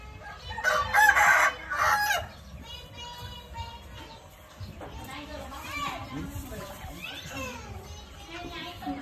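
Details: Morning chicken crow, a rough, harmonic call lasting about one and a half seconds at the start, then a busy background of murmuring voices, faint clucking and distant mixed noise.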